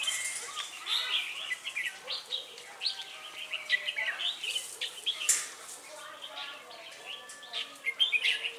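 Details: Red-whiskered bulbuls singing during bird trapping at Ba Thá on 18 December 2016, lure bird drawing wild birds; dense, busy warbling and chirping from several birds throughout, with sharp bright notes and short clicks.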